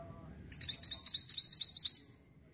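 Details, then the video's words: Bird singing a lure song meant to provoke a reply: a quick series of about ten high, sharply rising chirps, evenly spaced, lasting under two seconds, with faint low rumble beneath. "PANCINGAN BUNYI MANTENAN LANGSUNG NYAUT !!"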